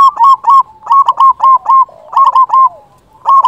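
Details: Loud local zebra dove, used as a trapping lure and to excite quiet doves into singing. Continuous loud, rapid stuttering coo phrases, each a quick cluster of short notes, with brief pauses and softer coos between.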